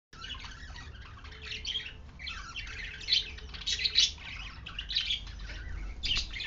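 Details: Many budgerigars for sale in Ranchi chatter at once, a busy stream of high chirps, warbles and squawks.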